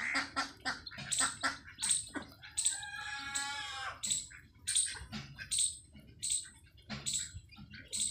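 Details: Desi hen with newly hatched chicks on a free-range farm: sharp high chirps repeat about twice a second, broken near the middle by a longer harsh, harmonic squawk lasting about a second, over low background rumble.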